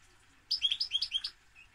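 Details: A European goldfinch delivers one quick run of about seven bright, liquid, high chirps in rapid succession, lasting under a second, against a soft hum.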